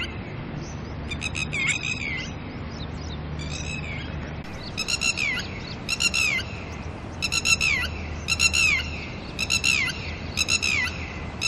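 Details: Red-wattled lapwings, an early-morning pair with chicks, calling loudly because a person is close: scattered calls at first, then a regular run of strident, buzzy notes roughly every second, with a low rumble behind.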